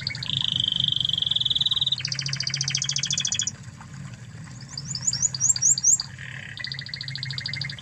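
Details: Spanish Timbrado canary, an original bird from Spain, singing master tutor song: a sustained flat whistled roll, a rattling metallic trill, a pause, quick rising chirps, then a renewed pulsed roll; faint low background hum.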